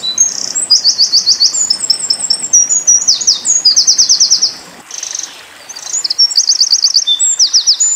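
Eurasian wren song: loud, very high, rapid trills and ringing notes in fast bursts, with a short pause near the middle. No other sounds stand out.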